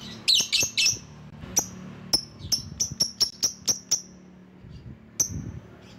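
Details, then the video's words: Lovebird calling rivals as a lure bird: a few harsh squawks open into a rapid series of about ten clipped, high chirps, then one lone chirp after a pause. "Burung LOVEBIRD Ampuh memanggil lawan"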